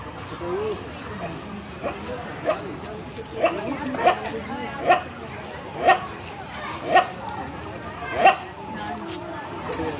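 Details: Hornbill at a zoo in Assam giving dog-like calls: short, hoarse single barks repeated about once a second, rising above steady background chatter of people.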